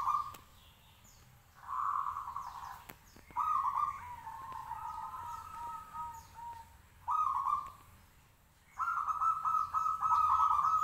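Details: Local zebra dove kept in a cage singing hard to provoke replies; strong trilled coo bursts alternate with a longer two-toned warbling phrase, with a steady vibrating coo closing the sequence.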